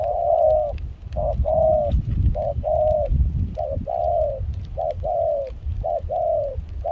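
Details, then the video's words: Decoy spotted dove, caught wild, singing in rain and cool wind in Kon Tum, Vietnam, its voice mixed with a foreign style: repeated couplets of soft coos, a clipped note followed by a longer slurred one, with buffeting wind noise. "Gác cu khi trời mưa gió se lạnh.bổi giọng pha nước ngoài chơi tốt."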